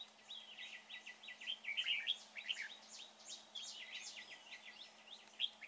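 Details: Red-whiskered bulbul at a trapping site, a bird described as handsome with a fine voice. Dense bursts of bright, sharp chirping notes tumble over one another in quick succession, with a steady low hum beneath.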